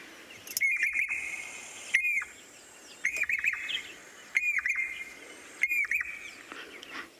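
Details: Jacobin cuckoo, a migrant, call played after the bird flew off on a sunrise safari drive: five short, ringing whistled phrases, one about every second and a half, mixed with sharp clicks and knocks.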